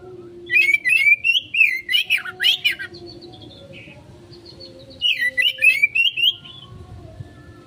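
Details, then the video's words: Kacer, the Oriental magpie-robin, in konslet-style lure singing: a rich phrase of rising and falling whistles mixed with buzzy notes, a softer trailing section, then a second quick whistled burst, with steady low background hum throughout. "Pancingan Burung Kacer konslet,respon cepat...!"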